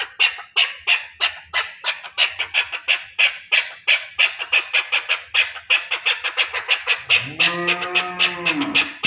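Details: Loud, steady chukar partridge calling in Pakistan: a long train of harsh, clucking chuk notes, roughly three per second. Toward the end a drawn-out, lower tonal cry overlaps the calling.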